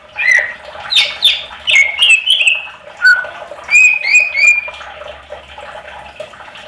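Greater green leafbird in lively, varied song: squawky slurred notes and bright chirps in quick bursts, roughly one to two per second, with a faint low hum beneath.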